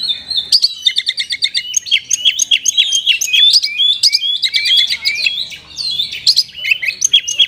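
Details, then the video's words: Kacer (Oriental magpie-robin) in a cage, singing gacor with luxurious isian for stirring lazy birds: a fast, unbroken torrent of chips, trills and whistled slurs, packed and energetic throughout. "TOP KACER GACOR isian mewah 🔴 pas untuk pancingan burung Kacer loyo malas ngoceh jadi tambah EMOSI!!"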